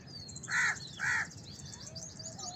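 House crow giving two harsh, nasal caws about half a second apart, with faint chirps of small birds in the background.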